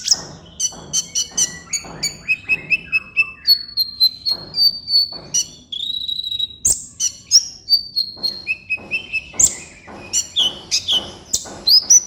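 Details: Van Hasselt's sunbird in vigorous gacor song, used as a master recording for training captive birds: rapid high thin chirps and trills, then sustained whistled notes and sharp rising squeaks in dense, varied bursts.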